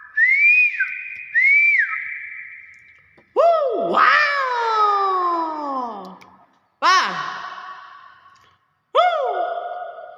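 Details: Common hill myna giving loud clear whistles, two rising-falling whistled notes followed by strong swooping calls that rise sharply then slide down, each ringing with rich overtones and separated by short silences.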